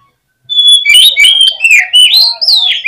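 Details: Fighting song of an Oriental magpie-robin, played to rouse a rival bird's anger and persistence: a long whistle opens a loud, continuous torrent of varied sweeping whistles, trills and slurs without pause.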